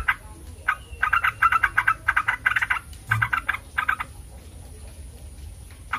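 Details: Yellow-vented bulbul recording for provoking other bulbuls to answer: quick runs of chattering bubbly notes for four seconds, then near quiet.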